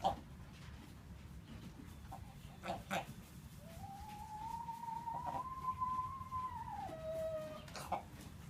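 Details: Three-year-old free-range buff Brahma hen making a strange, croupy, bark-like cough that made goats and chickens stop and stare; one long drawn-out rising then level wavering note, with a few clicks and a woman speaking.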